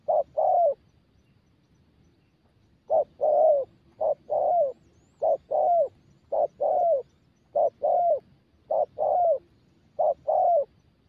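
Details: Young spotted dove in daily coo training repeats low hollow coo pairs, short then longer and falling, after an opening pair and a two-second pause, continuing steadily about once a second.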